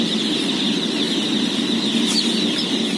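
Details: Massed peeping of day-old chicks at feeding time, part of a flock of 17,000; countless thin, high cheeps blend into a continuous shrill hiss, with one brief sharp click and a steady low hum beneath.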